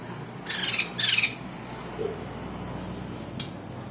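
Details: A white-crested laughingthrush utters a pair of coarse, grating squawks in quick succession, followed by quiet with faint distant ticks over a low hum.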